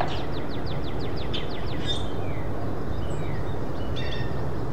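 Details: Hairy woodpecker (Dryobates villosus): a quick run of about nine sharp, high, down-slurred notes, then a single sharp note, over a steady low rumble of wind or traffic; faint chirps from other birds follow.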